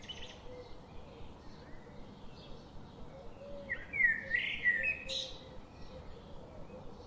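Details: One short cluster of quick, high twittering chirps comes from daily garden visitors just past the middle, surrounded by quieter background hum and faint distant notes.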